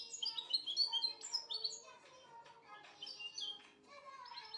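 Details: European goldfinch singing a quick, tinkling run of high twittering notes and liquid trills, broken into short bursts with brief gaps, against a quiet background.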